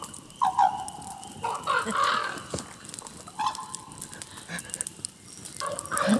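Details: Common Raven near an off-grid cabin in the Central Ontario wilderness, a vocal bird whose utterance is likened to saying "Oh my god"; several hoarse, voice-like tonal phrases of varying length, separated by brief pauses, over quiet forest background.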